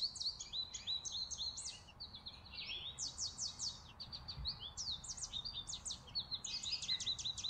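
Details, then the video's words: Several chickadees feed on a porch in December winter, keeping up a busy run of high, sharp chips and short slurred tweets that overlap almost without pause. "Playful Winter Chickadees On The Porch"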